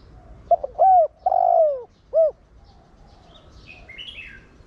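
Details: A spotted dove used as a decoy coos in the Thổ Đồng style to stir other doves into cooing. Two short soft notes lead to a long, smooth, falling coo and a final rounded note, with faint chirps from other birds afterwards.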